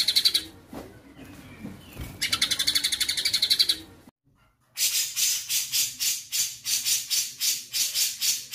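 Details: White-rumped shama combination song: faint notes, then a buzzy rapid trill, silence, and a loud series of harsh repeated rasping bursts about two per second.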